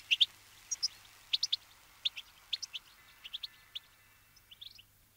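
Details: Brambling, Fringilla montifringilla, a winter visitor in a flock at sunflower seeds; scattered short, sharp high chirps in pairs and threes, with quiet gaps between them.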